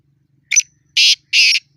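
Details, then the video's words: Black francolin in a fighting bout giving a short stuttered note and two drawn-out, rasping harsh notes evenly spaced. "Kala Teetar ki awaz|Black franclion voice"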